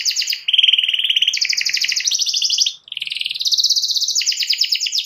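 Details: Canary (Serinus canaria) singing a fast, rolling song of rapid trills and chattering tours, shifting between high bright phrases with barely a pause, to provoke a rival canary into singing too.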